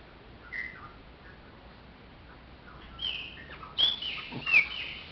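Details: Chopi blackbird giving scattered short whistles, then louder slurred whistled phrases with downward slides near the end, over steady low hiss.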